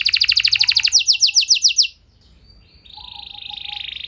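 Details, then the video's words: A fast pulsing canary trill followed by a few loud falling notes, then a brief pause and a quieter, steady buzzy trill. "Bakal Terpancing Jadi gacor Panjang Burung Kenari Lain Segala Kondisi! Ikut Gacor Pasti Ngeplong"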